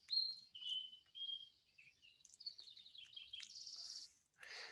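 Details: American robin recorded by an automated recorder set to run at sunrise: clear, whistled phrases stepping up and down, followed by a spotted towhee's buzzy trill.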